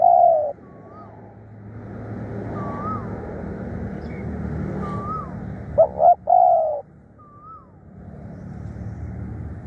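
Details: Decoy spotted dove, described as fierce and calling diligently, gives one full low coo phrase, a stuttered double note then a longer coo, after a clipped coo at the start. Repeated thin rising whistles from another bird sound over a steady rumbling background.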